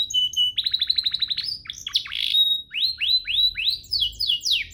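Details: Canary singing a master song for training: short high whistles, a fast even rattle of descending notes, harsh sweeps, then a row of rising slurred whistles and fine high trills.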